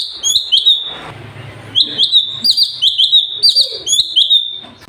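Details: Sooty-headed bulbul in vigorous gacor singing, recorded for training other birds: a short whistled phrase, a noisy pause, then a steady string of bright, slightly slurred whistles repeated about twice a second over soft background hiss.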